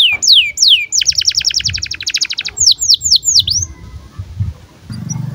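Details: Canary in breeding condition chirping as tutor material for young birds: looping whistled sweeps, a rapid buzzy trill, more sweeping notes, then quieter trailing sounds and a low hum near the end.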